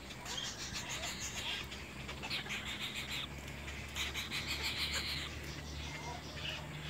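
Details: Little egret chicks in a fight, uttering loud, harsh rasping squawks in quick pulsed bursts, several overlapping, over a low droning hum.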